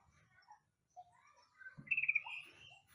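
Yellow-vented Bulbul giving a few short, slurred whistles, then a quick bubbly run of bright chirping notes; faint low hum beneath.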